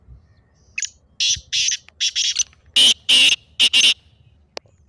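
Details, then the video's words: Repeated harsh calls of a black francolin, recorded to get kept partridges calling: a softer series of scratchy bursts, then a louder phrase of strident rasping notes, ending in a faint click. "تیتر کی مستی بھری آواز"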